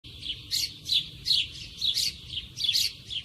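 A sparrow gives bright, sharp chirps in a steady string, about two or three per second, with a faint low rumble in the background.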